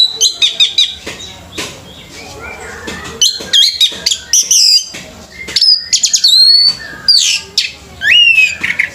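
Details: Orange-headed thrush at a bird singing competition, delivering loud, varied whistled phrases with sharp upslurred and downslurred notes and quick chattering bursts, separated by short pauses.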